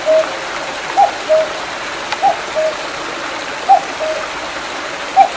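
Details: Cuckoo in the hills behind Mandeok-dong, July 2019, after rain: somewhat softer falling two-note cu-coo calls repeated at intervals, against a loud, even wash of a small mountain stream.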